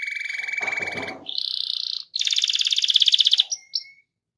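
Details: Rolling canary song for stimulating other canaries, with a low buzzy trill, a mid-pitched roll and a loud dense high trill, ending in two short whistled notes.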